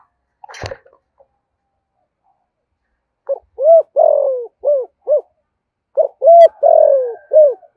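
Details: Spotted dove singing in the 'giọng thổ' style with pressing 'thúc gù' coos: a faint knock, then a run of low, rounded coos, some short and hooked, some drawn out and falling, delivered in quick clusters.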